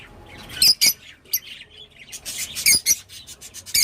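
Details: Rosy-faced lovebird calling: a few loud, shrill squeaks and short chirps scattered over a quiet background, with sharp bursts near the start and end.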